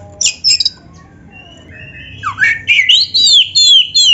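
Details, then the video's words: Oriental magpie-robin singing in full narung style as training material for other magpie-robins: sharp high chips open, a quiet gap follows, then a rising run of clear, slurred whistles that grow louder. "SUARA BURUNG KACER GACOR FULL NARUNG ‼️ Untuk MASTERAN KACER MANAPUN"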